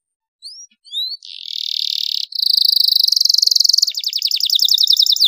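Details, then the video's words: Canary song for stimulating other canaries to sing: a few rising whistled chirps, then a long harsh buzzing roll that becomes a fast pulsing trill, continuous to the end. "cuitan kenari untuk merangsang agar gacor dor"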